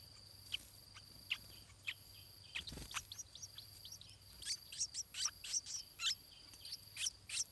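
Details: Stripe-throated bulbul chick in its nest, fed by its parents, giving short high chirps, sparse at first, then quickening into a burst of sharp, rising peeps, over a steady high insect drone, with one dull thump.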